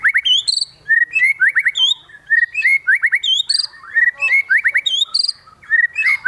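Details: Highly excited white-rumped shama with fill-in phrases: clusters of quick rising whistles and looped slurs with thin high squeaks, in short bursts separated by brief pauses.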